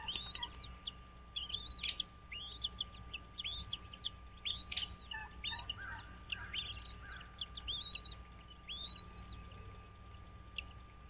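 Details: At a bald eagle nest on Dale Hollow Lake reservoir, Kentucky-Tennessee state line, nest camera at dawn-time 06:05, 06.03.2023: a long rapid chatter of high arched whistled notes, a dozen or more in quick succession, over a low electrical hum.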